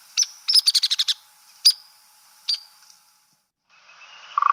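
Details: Male Hairy Woodpecker, told by the spot on top of its head, a species of older undisturbed woodlots: a quick burst of about eight sharp high notes, then single sharp calls spaced apart, with a faint lower sound near the end.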